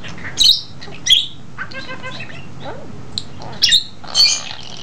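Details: A talking budgerigar just under two years old chatters to a two-month-old English budgie in bursts of sharp, high squawks, rapid warbling notes and kissy sounds, saying phrases like "good boy" and "happy happy."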